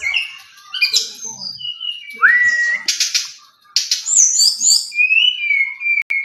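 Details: A Brown-chested jungle flycatcher sings a bright, varied run of high whistles, quick chirps and slurred notes, with one clear rising whistle and a sustained high trill near the end.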